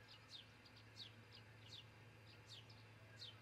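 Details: High descending whistled chirps from an osprey at its Charlo, Montana nest, picked up by a nest cam at dawn on 22 June 2018, coming roughly every half second to second against a constant low electrical hum.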